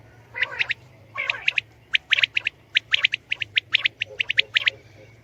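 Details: Common quail, known locally as batair, calling: short, sharp high-pitched notes in quick clusters, over a minute-long rhythm of about seventy per minute, with some harsh lower squawks early on and a faint low hum.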